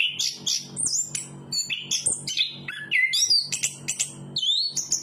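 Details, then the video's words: Rapid, mimicking-style song of a chestnut-capped thrush: bright whistled slurs, sharp chirps and upward-sweeping notes delivered in quick succession without pause, over a soft low background hum. "Burung Anis kembang berkicau"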